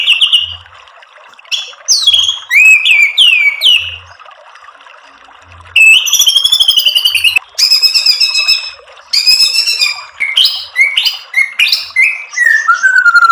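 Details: White-rumped shama lure song: loud, ringing whistled phrases sweeping down in pitch, bursts of piercing high rattles, and a descending series of clear whistles at the close, with faint low thumps early on.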